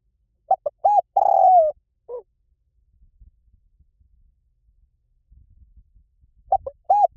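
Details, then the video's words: Spotted dove singing the 'liu tan' style, meant to prompt a trained dove to reply: one full phrase of short coos, an arched coo and a downslurred purr, a lone coo, a faint rumbling pause, then the next phrase begins. "สำหรับเปิดล่อนกเขาใหญ่ฝึกต่อ ให้ขันโต้ตามเสียงนกเขาใหญ่หลิ่วตัน"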